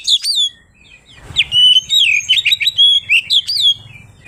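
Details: Oriental magpie-robin (kacer) singing in the ngeplong style, a song meant to call rivals and provoke other birds: loud, varied whistled phrases with sharp downslurred notes, then a rapid run of twisting warbles, over a faint low hum.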